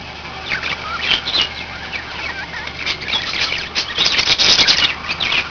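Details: Several pet budgerigars chattering together, with dense warbled chirps and squeaky twitters overlapping throughout, growing busier and louder toward the end, with a steady low hum underneath.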